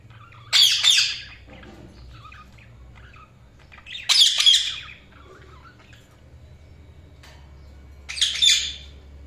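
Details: Budgerigars chirping: three separate short, scratchy warble bursts spaced about three and a half seconds apart in a quiet room.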